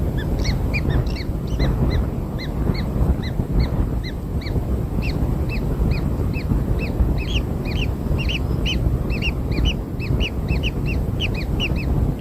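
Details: Newborn kingfisher nestlings fed black insects produce a long run of brief curved chirps, sparse midway then denser, from multiple chicks over continuous low rumbling.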